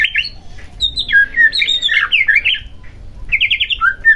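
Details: White-rumped shama song played to rouse a lazy shama into emotional, fighting singing; rapid varied chirping and rattling phrases, some descending, in a steady stream with brief pauses.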